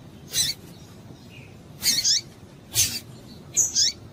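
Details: Female Double-collared seedeater, calling to arouse males, uttering four sharp, high, slightly squeaky call notes, some doubled, about one per second.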